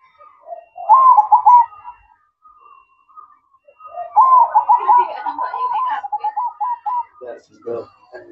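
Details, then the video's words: Zebra dove singing at night (manggung), giving two bursts of soft, rolling trilled coos that stutter then run on, with faint clicks and knocks after the second phrase. "Suara Merdu Perkutut Manggung Di Malam Hari"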